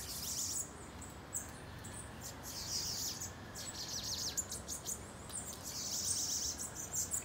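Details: Bananaquit campeada song: continuous very high, rapid sizzling trills and thin chips repeated in bursts over a steady background hiss.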